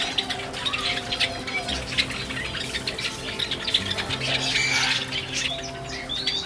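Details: Java sparrows kept in an outdoor aviary at Asamizo Park, Sagamihara, Japan, spending winter in the outdoor air: a dense chorus of overlapping high chirps and squeaky notes from many birds, with steady low hum beneath.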